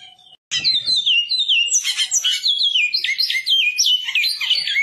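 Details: Pardo-plumaged chestnut-bellied seed finch from Goiás singing, a loud fast run of sweet whistled notes that slur up and down continuously for about four seconds after a short pause.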